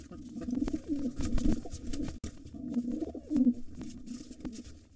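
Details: A nest fight between a gray intruder pigeon and the white father of two nestlings, wild birds free to come and go: throaty, rolling coos repeated across the clip amid thumps and flapping clicks.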